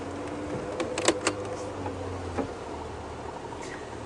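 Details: No animal voice, only a safari vehicle's engine drone with a steady low hum and a few sharp mechanical knocks and clicks, like a door or window moving, in the first half.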